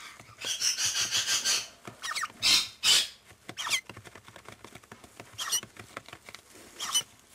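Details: Four rescued baby Adelaide rosellas, just fed and settling down for the night, give high, squeaky chattering in quick bursts, broken by a few louder, rasping squawks, with light scratching between calls.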